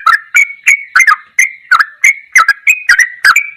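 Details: Sooty-headed bulbul song in the ropelan goklikan style, a tutor recording: rapid bubbly, slurred notes repeated about three times a second, each burst bright and slightly rising, with short gaps between.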